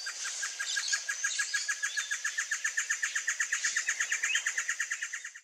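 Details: Blue-crowned Trogon (Trogon curucui) giving a long, even series of clear, mid-pitched notes, about six per second, over a steady high insect-like hiss.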